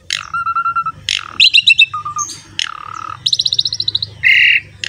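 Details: Asian pied starling singing vigorously in a recording for luring other songbirds: harsh downslurred calls, low flat whistles, choppy rattles and a fast series of high notes, ending with a rasping buzz.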